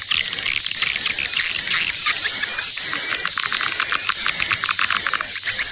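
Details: Swiftlet lure calling. Rapid, dense chirping and clicking pulses repeat over a sustained high-pitched whine, forming a thick, restless twitter throughout.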